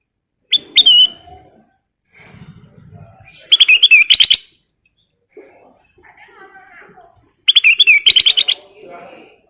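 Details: Black-crested bulbul singing energetically with full fill-in phrases: clipped whistles followed by rapid bursts of buzzy, rattling notes, twice over about ten seconds, with faint voices in the gaps.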